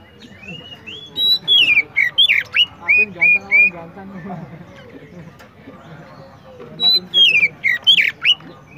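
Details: Oriental magpie-robin, called kacer and described as singing vigorously, gives loud whistled phrases of rising and falling slurred notes in two bursts separated by a quiet pause, over a low steady hum.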